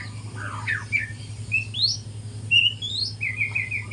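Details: Young speckled white-rumped shama practising its morning song: loud, clear whistled notes sweeping up and down, a few slurred phrases in quick succession over a constant low electrical hum.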